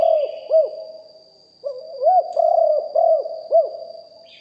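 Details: Spotted dove decoy with a deep voice, recorded live. The tail of one phrase ends in two looped coos. A second phrase follows with a purring start and four rounded, bouncing notes. A thin electrical whine is constant.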